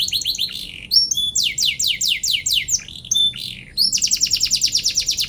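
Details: Singing canary, a lure meant to provoke rivals into song: quick rising-and-falling chirp series, short whistles, then a long fast rhythmic trill of bright high notes.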